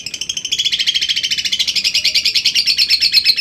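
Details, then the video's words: Lovebird giving a long ngekek, a fast rattling trill of rapid repeated notes, nearly three per second, sliding slightly down in pitch and steady throughout. "LOVEBIRD LAWAN LANGSUNG NGEKEK PANJANG,Gacor sepanjang hari dgn suara jitu lovebird"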